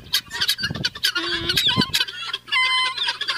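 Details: Guineafowls calling in a group: harsh, rasping broadband bursts in uneven succession, with some thin whistled tones running alongside the chatter.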